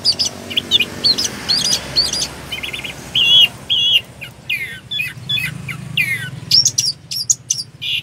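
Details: Orange-headed thrush, locally anis kembang, singing a rolling song of varied high phrases: trilled notes, repeated whistled slurs and harsh rasping bursts, with low rumbling background noise.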